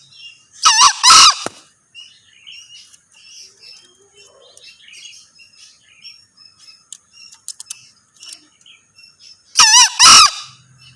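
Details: Two crows from a male green junglefowl about nine seconds apart, each a harsh, buzzy double burst, with soft twittering of other birds in between.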